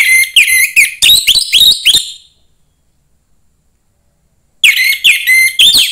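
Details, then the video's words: Orange-headed thrush, a young bird from the forest, whose song is meant to excite other thrushes: rapid run of loud whistled and chattering notes, then two seconds of silence, then the phrase resumes. "suara anis merah MUDA HUTAN meningkatkan felling anis merah lain"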